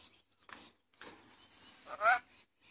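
A lorikeet gives soft, scratchy chattering bursts, then one loud, harsh, rising screech near the end.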